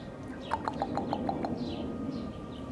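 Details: A 10-year-old female common raven at a zoo, kept for a wing injury, is prompted by a keeper for a common call. She gives a quick run of about seven hollow, knocking notes, evenly spaced over one second, against a faint hum.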